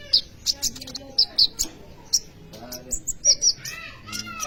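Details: Sunbird (kolibri ninja) singing actively, used as a lure or tutor for training young birds: sharp, very high chipping notes in quick bursts with short pauses, some doubled, over faint background hiss.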